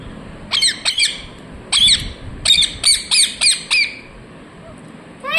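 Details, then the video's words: A ringneck parrot chirps in a run of short, hoarse, evenly spaced squawks, about nine in quick succession, then a final note after a pause; quiet background. "Ringneck parrot Chirping sounds | Natural sound"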